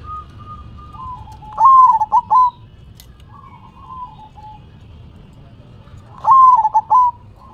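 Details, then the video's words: Manggung song of a zebra dove that shakes its head as it sings: two loud stuttering coo phrases several seconds apart, with quieter level coos between them and a faint low hum behind. "Perkutut BERDZIKIR, Manggung nya Geleng -geleng Kepala"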